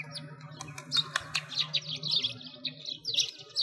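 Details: Sparrows chirping in winter beside a frozen lake in Bratislavsky Park, Moscow, Russia; quick high chirps and twitters in a busy stream, with a steady low hum beneath.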